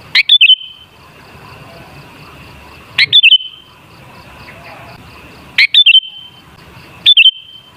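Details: Lure for bulbuls: a sooty-headed bulbul repeats a short, clear, gurgling whistled phrase four times at irregular intervals of one to three seconds, with a faint steady high hum between.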